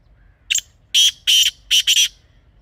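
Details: Black francolin, wild in Pakistan, captured outdoors for hunters. A grating call opens with one thin short note, continues with two long buzzy notes, and ends with a rapid double note. Each note is strongly clipped, with quiet gaps between.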